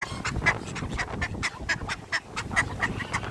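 Domestic duck quacking in a rapid run of short, nasal, raspy notes, about four per second, with low background rumble.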